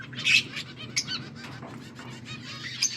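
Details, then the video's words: Budgerigars chattering, recorded August 14, 2024: a loud high squawk early, then softer scratchy warbling and short chirps over a low background hum. "Budgies sounds for lonely birds birds chirping sounds"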